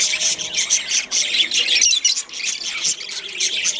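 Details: Shrill, rapid budgerigar chatter from a breeding pair, rhythmic pulses of squeaky warbling notes repeating several times a second with hardly a break.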